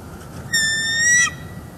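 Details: Bald eagle at a Northeast Florida nest with eggs, alert and protecting it from a disturbance, December 18, 2021, live camera: a single thin, high, harmonically rich whistle lasting under a second, rising slightly toward its end.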